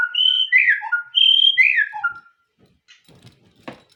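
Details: White-rumped shama song: a short run of clear whistled notes, some steady, some sliding down, over about two seconds, then near silence with faint soft clicks and a brief rustle.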